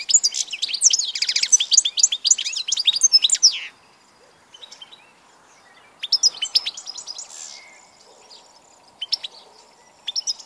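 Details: European goldfinch, 16 March 2014: an energetic rapid twitter for several seconds, then silence broken by shorter jangling phrases and single chirps.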